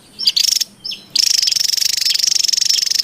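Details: Javan tesia in the wild: two brief chirp-and-buzz bursts, then an unbroken two-second dry rattle of rapid ticking pulses at an even pitch.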